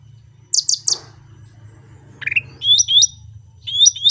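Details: Cucak rante in full natural song: three quick piercing high notes, a rising slurred whistle, then paired downward-hooked whistled phrases repeated, over a faint low hum.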